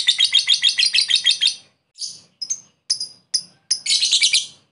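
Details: Lovebird calling a rival, used as a lure: a quick rhythmic chatter of harsh notes, then a pause, several separate sharp squawks, and a final burst of scratchy chatter.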